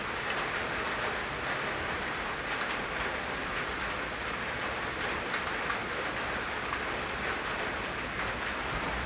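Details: Steady, hissing noise like heavy rain on a surface fills the recording throughout, with no animal calls standing out.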